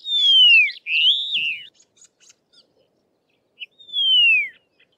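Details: Karoo Long-billed Lark (Certhilauda subcoronata) calling on the open plains of the southern Karoo, South Africa: loud, clear, far-carrying descending whistles, each about three-quarters of a second, with a rising-and-falling note between; otherwise quiet.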